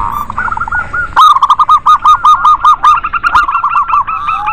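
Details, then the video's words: Local zebra doves sing a lure for birds reluctant to sing: after soft overlapping cooing, a loud rapid run of about twenty short, staccato coo notes follows in even rhythm, with another dove's fainter notes trailing alongside. "Pancingan Perkutut Lokal Rame ||Ampuh buat perkutut malas bunyi"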